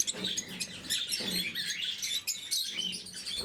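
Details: Lovebirds in blue mutation at morning feeding, giving sharp squeaky chirps in quick runs, with some soft low knocks and rustles in the background.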